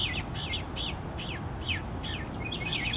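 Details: Eastern bluebird babies calling as parents feed them; short descending chirps between 2 and 8k repeated about every half second, with a denser burst at the end over steady low background noise.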